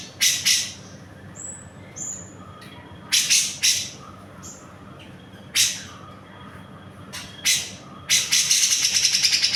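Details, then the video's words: Grey-cheeked bulbul song, cucak jenggot in a training recording for songbirds: sharp, high chip notes in irregular bursts, a few short whistled slurs, ending in a fast buzzy rattle. "CUCAK JENGGOT GACOR. . .!! Masteran Burung Kicau"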